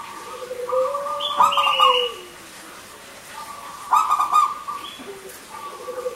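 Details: Local zebra doves, male and female, singing frequently in a crystal-clear voice as a lure for silent doves: two bursts of fast, bright cooing notes about two and a half seconds apart, with a low arching glide and sustained tones.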